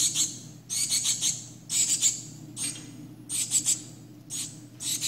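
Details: Nestling shiny cowbird under human care, carrying 27 Philornis larvae, calls in repeated clusters of shrill, high, buzzy notes, bursts of two to four coming roughly every second against a faint low hum.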